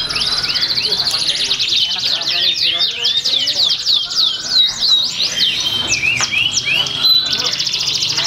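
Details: Canary singing at a bird singing competition in Pringsewu, Indonesia, 22 September 2019: long rolling trills of rapid repeated notes and swooping slurs, with crowd chatter and other birds behind.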